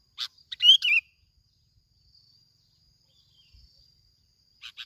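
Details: Lure sooty-headed bulbul from Bình Thuận, Vietnam: a sharp chirp leads into a quick bubbly warbled phrase, then a long pause with a faint high tone before two soft closing chirps.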